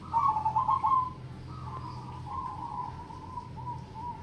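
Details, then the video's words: Zebra dove, a local bird, in crossing-rhythm triple ketek song: a loud burst of rapid throaty coo pulses opens, followed by a long run of quieter, evenly pulsed cooing notes, with a constant low hum beneath. "perkutut Crossing Irama Triple Ketek Gacor"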